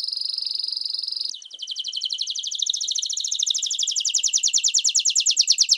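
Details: Domestic canary song used to train young and adult Canários do Reino and Belgian canaries: a steady, high, fine trill gives way to a rapid rolling trill that grows louder and gradually rises.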